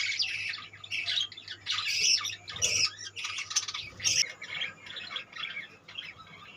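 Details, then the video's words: Budgerigars massed in a colony produce a loud, unbroken tangle of harsh squawks and buzzy chattering, with a few sharper cries rising above the din. "budgeis birds colony"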